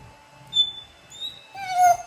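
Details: Female pet African grey parrot indoors imitating a dog crying: thin whistled tones, a steady high note, then a wavering, descending whine, repeated three times over two seconds.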